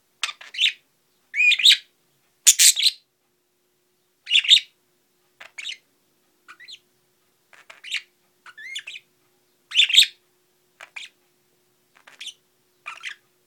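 Budgerigars chirp in quick, scratchy bursts mixed with brief whistled warbling notes.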